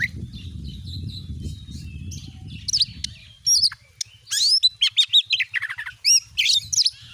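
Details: Oriental magpie-robin lure song meant to make a caged Kacer start singing: after low rumbling background, sharp high chirps and downslurred whistles follow in quick clusters.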